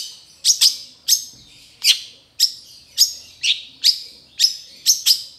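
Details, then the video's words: Long-tailed Shrike training song, trotol style: evenly spaced bursts, each a sharp high downstroke followed by a bright ringing note, repeated roughly every half second in a steady rhythm. "MASTERAN CENDET TROTOL AMPUH CEPAT GACOR, PANCINGAN CENDET GACOR FULL ISIAN"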